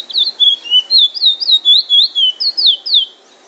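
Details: Chestnut-bellied seed finch, known in Trinidad as bullfinch, singing drawl and wheet drawl. About a dozen sweet whistled slurs follow in fast succession, alternating rising and falling sweeps, and then the phrase ends in quiet.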